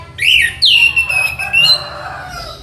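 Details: Orange-headed thrush, or anis merah, from a tutor recording for training birds: a short, sweet, slurred whistle, then a long, steady whistled note ending on a higher tone.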